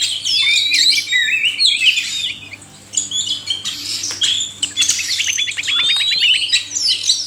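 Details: Male and female oriental magpie-robins in chorus, meant as therapy for caged birds that will not sing: varied shrill whistles and chatter, a brief quiet gap, then a rapid run of repeated clipped notes.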